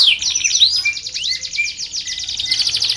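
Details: Canary in continuous song meant to train and lure other canaries: dense high rolling trills run almost without pause, with a few rising slurred notes woven through.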